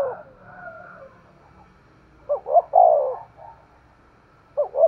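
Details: Caged decoy spotted dove giving sharp 'thúc gù' coos: soft, faint notes, then two quick upswept notes and a long falling coo, with another phrase beginning at the end; light background hum.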